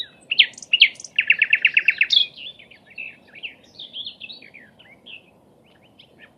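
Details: Training recording of a sikatan londo flycatcher singing: a few loud whistled notes, then a quick rattle-like series of clipped chirps, followed by a rambling stream of thin, varied twittering phrases.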